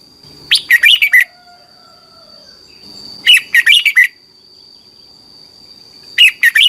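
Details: Red-whiskered bulbul song used in Thailand to teach caged birds, played thirty minutes every morning: three similar chattering, warbled phrases repeated about every three seconds over a constant high-pitched tone.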